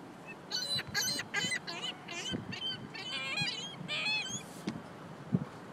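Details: Many gulls in a parking lot: overlapping squealing and mewing cries from several birds, wavering in pitch, somewhat distant, with low background noise.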